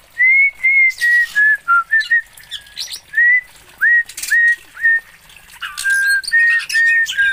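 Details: Whistled phrases from an Oriental magpie-robin from Aceh, Indonesia: many pure, loud notes, some sliding up and some down, strung together rapidly with a few scratchy, buzzy notes mixed in.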